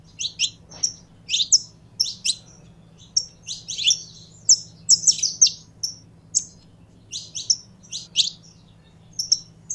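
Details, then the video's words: Canário-da-terra (saffron finch) in warm-up for singing: spaced bright chirps and short clusters of sharp high notes, at an irregular pace, with a low hum behind. "Canário da Terra Esquentando em 3 2 1!!!"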